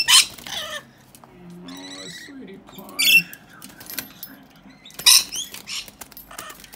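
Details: Baby rainbow lorikeets, two wild rescues kept in a cage, bathe in their drinking water; raspy screeches and a short buzzy chatter break through, separated by stretches of soft background murmur.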